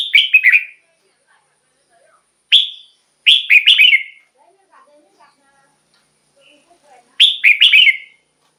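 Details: Red-whiskered bulbul singing, a recording for decoying or stimulating caged birds: bright chattering phrases of rapid slurred whistles, a lone upslurred note, then further phrases spaced a few seconds apart, with faint low sounds between.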